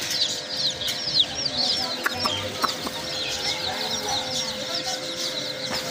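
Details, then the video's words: Several chicks of domestic chicken give a dense stream of high, curved chirps, overlapping constantly, with a few soft clicks and a low hum beneath. "chicks chirping sounds"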